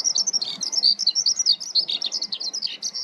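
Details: Eurasian skylark singing while feeding in a ploughed field: loud, dense, high-pitched warbling made of quick chirps and trills packed in continuous rapid pulses.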